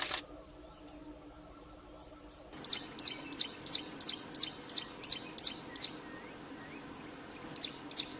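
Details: Wild Plain prinia in full song: after a quiet start, a quick string of about a dozen sharp, high, clipped notes at roughly three per second, then a pause and two more notes.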